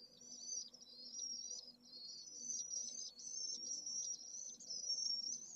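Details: Pallid swift at a nest in the city centre of Jerez de la Frontera, Spain, with a single chick, at solar midday on 25 August during a heatwave above 44°C; high buzzy trilled screams run almost without pause over a faint low hum.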